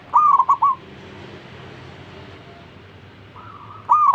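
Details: Zebra dove that urges fellow zebra doves to sing along, uttering a crisp phrase of three rippling coos, then a pause of about three seconds before a fainter coo and the next loud phrase begins.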